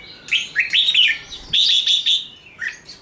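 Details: Red-whiskered bulbul used to stimulate contest birds, singing quick chirpy whistled phrases that rise and dip, with a dense run of louder notes midway and a lower trailing note at the end.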